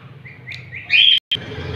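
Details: Captive breeding pair of Indian ringneck parakeets that have just hatched two chicks; a few short, high chirps stepping upward, then a louder harsh, buzzy chirp burst near one second, a brief silence and one faint chirp after.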